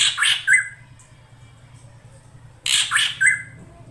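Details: Female drongo calling to lure a male into singing: two bursts of harsh, rasping squawks, each ending in a short whistled note, about two seconds apart, with a low hum underneath.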